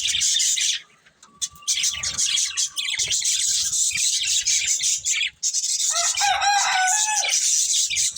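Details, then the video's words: Pair of breeding budgies kept as pets, chattering nonstop in busy, scratchy high warbles, broken by two short pauses, with a few longer clear whistled notes mixed in. "Cute Budgies Chirping Sounds"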